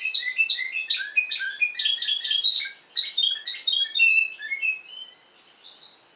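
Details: Spanish Timbrado canary of Madeira, Portugal, in discontinuous song: bursts of quick chirps and bell-like notes, a brief pause, then more varied whistled phrases fading to quiet.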